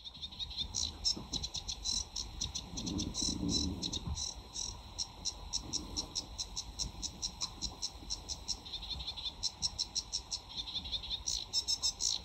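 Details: Sedge warbler, a summer breeding visitor to the UK, singing in full flow: a continuous fast, scratchy chattering of rapid repeated notes and trills in quick rhythmic bursts, with low rumbling background noise.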